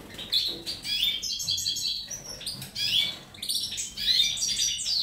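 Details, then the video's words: European goldfinch singing, a rapid jumble of bright twittering notes and chirps in high bursts, with short pauses between phrases. "Perle morbide 19.05.'18 , Goldfinch,Stiglic,Grdelin, Stieglitz, Chardonneret , El jilguero,bird"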